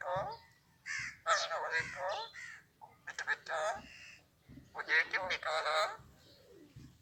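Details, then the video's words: An Alexandrine parrot speaks human words from Urdu, Hindi or Arabic in a fast, raspy, high-pitched voice. Syllables run together in long runs with brief breaks. "Amazing super talking raw Alexandrine parrot Urdu / Hindi / Arabic"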